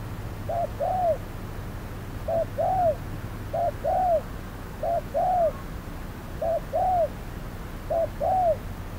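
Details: Spotted dove decoy calling while trapping on a hot midday; six evenly spaced soft phrases, each a brief note followed by an arched coo, over constant low background noise.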